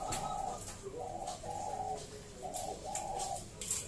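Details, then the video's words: Local zebra dove song meant to draw other zebra doves into singing: a run of soft, even, mellow coo phrases repeated about every half second over a hissy background. "Perkutut lokal Gacor SUARA ASLI KRISTAL MERDU Ampuh Mengundang Bunyi Semua Perkutut Lokal"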